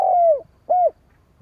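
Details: Spotted dove giving a call meant to draw in wild doves: one long mellow coo sinking in pitch, followed after a short gap by a brief arched coo, clear and close against near silence.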